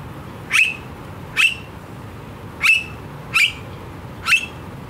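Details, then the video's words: Australian blue-faced honeyeater calling noisily: five loud, brief, strident notes with a rasping edge, evenly spaced about a second apart, with faint low rumble beneath. "Australian Bird Calls - The Very Noisy Blue-faced Honeyeater"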